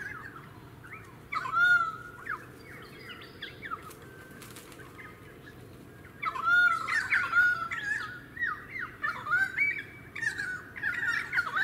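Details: Pied currawong, suburban Sunshine Coast, Queensland, February 2018; a short quiet stretch, then one loud ringing whistled burst, a pause, and a long lively series of gurgling, yelping and whistled notes.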